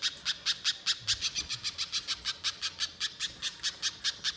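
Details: Spiderhunter (pijantung) in lively voice for luring wild birds, giving a brisk series of harsh, buzzy high notes, around four per second, evenly spaced and sustained.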